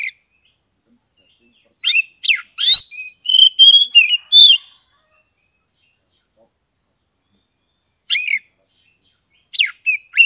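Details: Oriental magpie-robin from Kebumen, Central Java, singing in the clear ngeplong style used to prompt silent or lazy birds to sing: scattered loud whistled notes and buzzy chirps in two bursts separated by a long silent gap.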